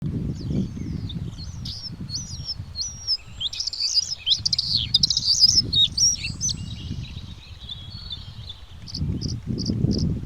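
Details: Bluethroat giving a rapid, varied run of high whistled and slurred notes, some rising and some falling, then a short series of evenly spaced clipped notes near the end, over a steady low rumble.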